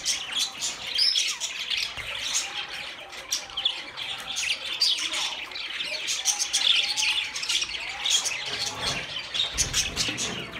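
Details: Budgies talking in a steady warbling babble of squeaky chirps, clicks and short whistles, with a faint low rumble near the end.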